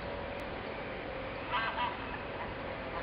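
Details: Two quick, nasal mewing cries from a ring-billed gull (Larus delawarensis), close together, over a steady broad hiss of wind or surf, in Isabel La Católica park, Gijón, Asturias, in February 2013.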